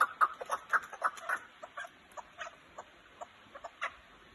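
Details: Kazakhstan chukar partridge producing a series of harsh, clipped chuck notes, loud and close together at the start, then thinning into softer, more widely spaced notes over the last few seconds.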